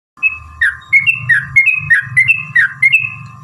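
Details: Yellow-vented bulbul giving its long rapid fighting song (ropel panjang), used as a lure to provoke other bulbuls into singing: bubbly two-part phrases repeated about every third of a second over a steady low hum and faint rumble.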